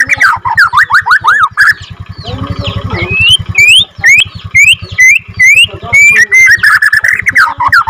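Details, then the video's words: Borneo white-rumped shama, a second-generation captive-bred bird, giving swooping looped whistles and sharp upslurred notes, with a loud low pulsing mechanical throb running underneath. "MURAI BATU BORNEO F2 NGRROLL PANJANG"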